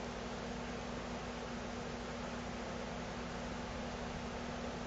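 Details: Constant fan-like hiss with a low steady hum runs unchanged throughout, with no animal voices.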